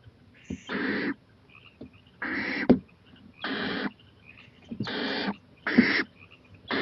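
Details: At 11:26 pm on 23 April 2018 an owl moves onto a porch and looks toward a playground, giving a run of broad, noisy hisses about half a second each, spaced irregularly with faint clicks and knocks between.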